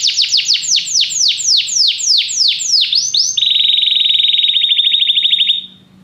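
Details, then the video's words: Canary song: a series of loud downward-sweeping notes repeated about twice a second, then a switch to a buzzy, very fast level trill lasting two seconds before ending. "Canary bird | o canário canta muito bem"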